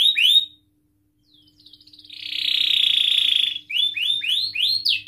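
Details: Canary singing to spur other canaries on, with a few falling whistles, a pause, then a long steady buzzing trill and a run of quick curved whistled notes.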